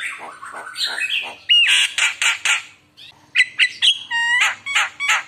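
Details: A chatty Javan myna gives a lure song packed with isian phrases to draw replies from other mynas. Noisy squawked bursts mix with pure whistled slurs and a run of stacked, ringing notes, pausing briefly midway.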